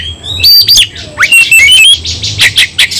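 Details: White-rumped shama in fighting song, highly agitated: clear whistled phrases, quick upward sweeps and rattling chatters in rapid succession, loud and varied.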